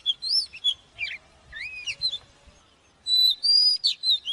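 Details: Oriental magpie-robin singing, a recording played to train caged birds to sing: clear whistled notes that slide up and down, short buzzy bursts, a pause, then a long high whistle with fast trills.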